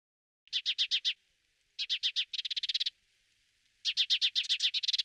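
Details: Spanish sparrow in Toledo province, Spain, in November 2019, giving bursts of loud chirping notes, five or six in quick series, then a faster run of chirps; clean with no other sounds.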